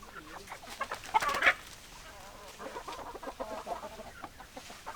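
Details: Hens and roosters in a busy chicken flock: a loud squawking burst early on, then steady overlapping clucks from many birds in quick, uneven succession.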